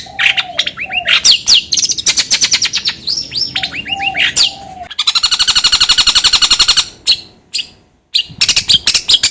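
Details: Long-tailed shrike delivering a varied, rapid stream: soft falling whistles mixed with sharp chips, then a long fast rattling run of harsh buzzy notes, brief silences, and renewed scratchy bursts near the end.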